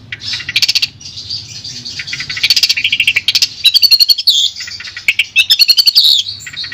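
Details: A Long-tailed shrike (Lanius schach) sings a busy, scratchy medley of high chattering notes and rapid clicking trills with sharp whistled phrases, used as sound therapy for a shrike that has stopped singing.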